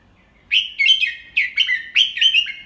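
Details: Adult red-whiskered bulbul acting as a teacher bird, singing the "double 3" style slowly and clearly for young birds to copy: three bright, warbled phrases, each a quick rising-then-falling whistled figure, spaced about half a second apart.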